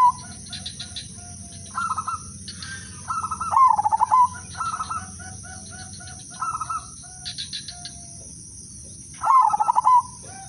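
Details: Zebra dove (merbok) of the Udanmas Silver line singing a melodious lure song. Several short, quieter coo bursts come from other doves, joined by two loud stuttering phrases around four and ten seconds. A constant high-pitched whine runs throughout.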